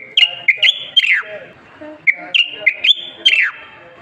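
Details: Common bulbul, the black Moroccan form, sings two matching phrases about two seconds apart, each a bright run of short whistled notes that ends in a steeply dropping slur, over a quiet background.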